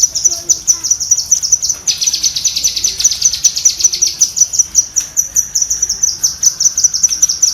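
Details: Rapid chattering of a cucak kinoi bulbul used as master audio for pet birds; high ticking notes about two and a half per second, with a dense buzzy stretch in the middle.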